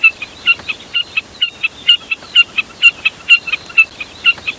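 Jack snipe calls: clear, high, ringing notes in quick pairs, repeated steadily about twice a second, with a faint hiss behind.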